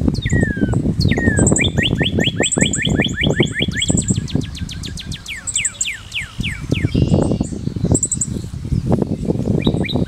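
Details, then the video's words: Song of the cardeal vermelho, a crested red cardinal: a fast series of sharp repeated whistled notes, then quick downslurred sweeps, against a constant low rumble and bursts of high, thin twittering from other birds. "Cantoria do Cardeal Vermelho"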